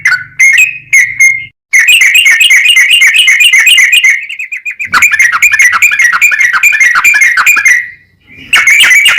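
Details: Fast rolling 'ropel' song of a yellow-vented bulbul, a lure to provoke other bulbuls into singing: rapid bubbling trills of sharp chirps with bright overtones, broken by two brief pauses, faint low hum at times.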